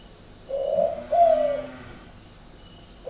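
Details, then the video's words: Single phrase from a spotted dove kept in Ba Vì, Hanoi, northern Vietnam: a low soft hooting note followed at once by a stronger, drawn-out coo that fades downward, unusual in style. "cu gáy độc lạ hoắc"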